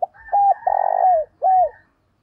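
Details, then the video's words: Lure call of a decoy spotted dove meant to bring in other doves: a clipped hoot, a long vibrating coo that slurs down, then a final drooping note, all low and mellow. "Chim Cu Mồi gáy gọi & tiếng cu mồi thúc bổi"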